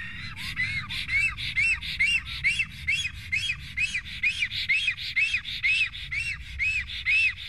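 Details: Black stork at a nest in Estonia while an unwanted, strange black stork visits: a fast series of squawky, arched whistles, about two a second, each rising then falling, with a steady low hum.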